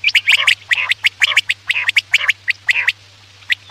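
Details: Quail call used as a night-time hunting lure: rhythmic series of paired, raspy chattering notes about every third of a second, fading to a few isolated clicks, with a faint steady hum.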